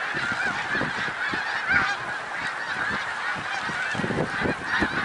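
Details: Snow geese at Middle Creek Wildlife Refuge, Pennsylvania, on 1 March 2021, a thick din of overlapping nasal honks from many birds, with scattered low knocks beneath.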